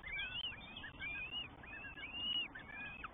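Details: Northern goshawk young, three chicks at a New Forest nest filmed 20 May 2023 during feeds by both parents; near-continuous piercing whistled squeals, long and gently arched, several dropping off sharply at the end.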